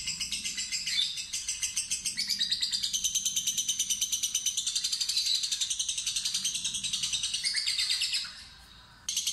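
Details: Fighter lovebird tested with a lure for its longest ngekek trill: a sustained fast high chattering trill lasting about eight seconds, steady rapid pulses, dropping away briefly near the end before a sharp restart.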